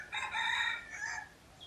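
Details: Wild red junglefowl at a pagoda near Teuk Chob Khnar Po Community Forest in Siem Reap, Cambodia: a harsh, strained crow about one second long with a trailing second phrase, then thin bird chirps.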